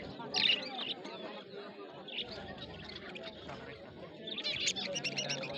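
Budgerigars chirp and warble in quick, scratchy bursts, with a murmur of background chatter.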